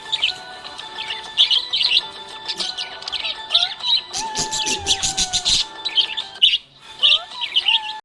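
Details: Contented budgerigar chirping with short high chirp bursts, broken midway by a loud run of rapid clicking notes, while background music plays steadily.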